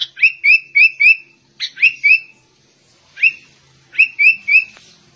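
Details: Sooty-headed bulbul singing in a white-rumped shama style: bright rising whistled notes repeated rapidly in runs of three or four, with short pauses between bursts and a quiet background.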